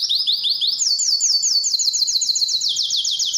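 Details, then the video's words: Canary song aimed at attracting females for mating: quick rolling notes jump to a higher rapid trill, then step down into a lower repeated roll, all unbroken and bright. "Canário cantando para atrair fêmeas para a reprodução"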